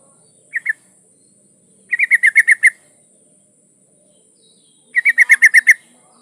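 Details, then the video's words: Breeding female yellow-vented bulbul calling for a male: a brief two-note chirp, then two rapid chattering runs of about seven liquid notes, about three seconds apart, over a thin high hum. "trucuk betina memanggil jantan"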